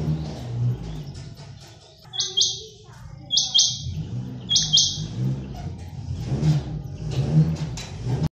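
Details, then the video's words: Quail calling with three short, rasping, high buzzy bursts spaced about a second apart, heard over steady low rumbling background noise that continues after the calls stop. "batari ki awaz"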